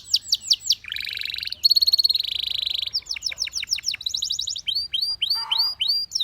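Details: Song of a Belgian canary, shifting between swooping whistled phrases, dense buzzy trills and rapid high rattles, then a run of descending notes and curved whistles.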